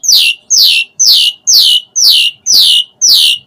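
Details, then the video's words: Asian pied starling calling, used to provoke other starlings. A harsh, descending squawky note repeats steadily about twice a second, every note alike. "Suara Kicau Jalak Suren Gacor Pancingan EMOSI Isian Variasi Agar Burung Jalak Cepat Gacor Full Isian"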